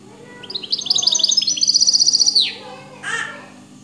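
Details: Hybrid (mule) river goldfinch singing a clean, faultless song: high twittering notes climbing into a fast, even trill of bright repeated pips, about a dozen, ending in a falling buzzy slur, then a short harsh burst after a pause.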